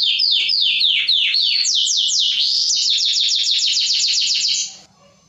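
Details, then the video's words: Male canary singing to rouse females for breeding, giving repeated downward-slurred whistles, then a very rapid chain of sweeping notes about four per second that stops abruptly. "اقوى تغريد كناري للتسميع و تهييج الاناث للتزاوج حصريا canary singing training"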